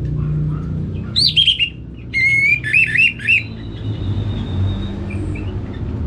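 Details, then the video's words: Caged orange-headed thrush from northern Bali responds to a played recording with two bursts of looping, warbling whistles separated by short pauses, then falls mostly quiet over a low humming background. "ANIS MERAH Langsung Gacor Nyaut Joss"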